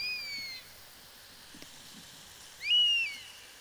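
A European Honey Buzzard gives two high, thin, plaintive whistles, each gently falling in pitch, about two and a half seconds apart, over faint background hiss.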